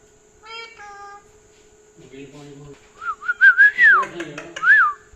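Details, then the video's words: Parrot at night that wants churi and will not sleep; soft low voiced sounds, then bright bouncing whistled notes rising and falling, ending with a final arched whistle in a quiet room. "Funny parrot talking"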